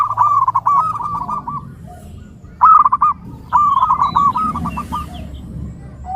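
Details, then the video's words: Song of the zebra dove, the perkutut, for training and luring birds: clipped, fast cooing notes in short phrases with silent gaps, one louder phrase near the middle. "SUARA Mp3 Burung Perkutut terbaru melatih, memikat perkutut"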